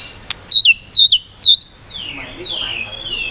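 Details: White-rumped shama calling to provoke other birds: three clear, high, looping whistled notes about half a second apart, followed by faint softer sliding sounds.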